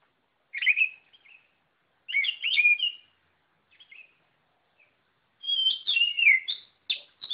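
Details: White-rumped shama song in separate loud bursts: warbled, slightly buzzy phrases with short pauses between them, ending in a faster run of varied whistles and chattering notes.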